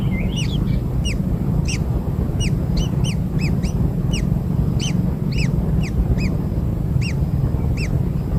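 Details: Kingfisher newborns, fed black insects, keep up an insistent run of brief arched squeaks, roughly two or three a second, sometimes doubled, with a continuous low droning background.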